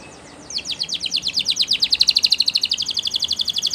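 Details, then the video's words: A Belgian canary delivers a quick, steady rolling trill of bright, high notes, about five per second, for training, over a light background hiss. "The Most Magical Training Belgian Canary"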